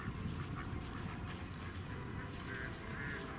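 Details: Mallard at the children's zoo of Tokyo German Village in Chiba, Japan, recorded 10 December 2018; faint, nasal duck quacks rise briefly above a steady, low background rumble.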